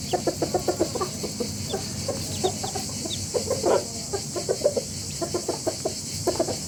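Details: Fast, chattering clucks from a rooster family, uneven and overlapping, with a faint hiss in the background.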